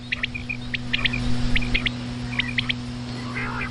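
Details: Common quail calling at night: quick groups of two or three sharp, clipped notes repeated at irregular intervals, with a thin whistled note between groups and a steady low electrical hum underneath.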